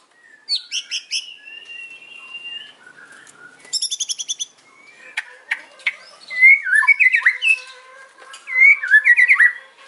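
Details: Afternoon song of a white-rumped shama, mixing clear sustained whistles, a quick high rattle of chips, and rich warbled phrases that twist up and down in short bursts.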